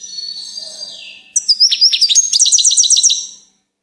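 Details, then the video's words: A goldfinch sings a high, rapid twittering song, with bright tinkling notes tumbling about four per second after a softer warbled opening. "Gold finch TOP SONG"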